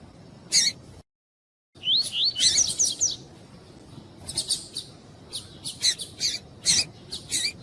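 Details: Double-collared seedeater (Sporophila caerulescens) giving short, high chirps and rapid twittering bursts in clusters, with a brief silent break early on; a recording of female calls and male song used to stimulate "cold" caged males.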